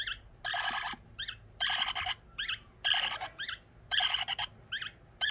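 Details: Young pet parrot begging for feed, still insisting even with a full crop: harsh buzzy rasping bursts about half a second long alternate with short rising two-toned squeaks, in a steady back-and-forth rhythm over a low indoor hum.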